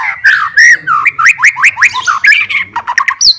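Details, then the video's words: White-rumped shama kept as a fighter bird, singing to provoke rival birds, pours out quick slurred whistles and harsh squawky notes, each rising then falling, packed closely across a few seconds. "CARI LAWAN,, MURAI BATU SUPER FIGHTER,, BIKIN LAWAN AUTO EMOSI BINGKAR MATERI"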